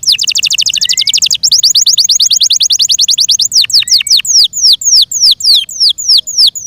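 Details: Yorkshire canary, a pet bird, delivering a rapid high trill of repeated falling notes for over three seconds, then slower, spaced downward-swooping whistles.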